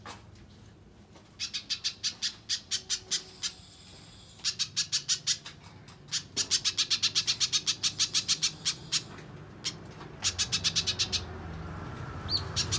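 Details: Little spiderhunter in vigorous song, used as a lure and as a training model for contest birds. Rapid trains of sharp, high, clicky notes come in bursts of several seconds, broken by short pauses, over a faint low background hum.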